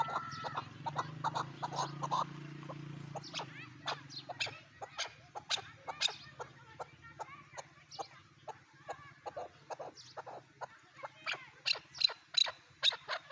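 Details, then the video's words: Chukar partridge giving a run of sharp, clucking notes, irregular and fast, about two or three a second, with a steady low hum underneath throughout. "chakor voice chakor birds chakor sound"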